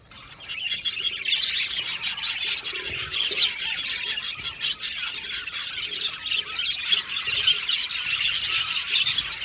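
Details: Aviary colony of budgies chirping together, overlapping squawks and twittering warbles forming a steady high chorus, with sharp ticking clicks scattered throughout.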